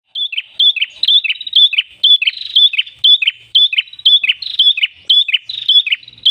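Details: Red-headed tailorbird (prenjak kepala merah) singing in lively gacor style with ngalun voice, used as a lure: rapid series of short high whistled notes with brief buzzy drops, about two per second, steady and clean.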